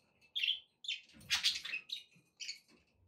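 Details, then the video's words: Budgerigars chirping, offered as company to get a pet parrot eating and singing: a few separate short, scratchy tweets and chatters spaced by gaps. "budgie sounds to encourage your parrot to eat and sing"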